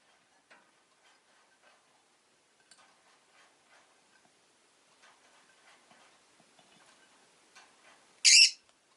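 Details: After a long stretch of faint ticking and quiet, a rosy-faced lovebird lets out a single intense, screechy chirp near the end. The recording includes town noise such as vehicles.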